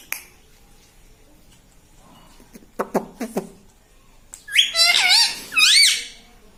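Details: Talking pet parrot imitating words such as "mitthu" and "mummy"; soft clicks and taps first, then two loud, high, squeaky phrases that rise and dip, each about half a second.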